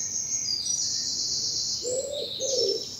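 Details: Early spring morning birdsong in bluebell woods in southern England: a steady high thin chorus of chirps and trills, with two short lower warbled phrases near the end.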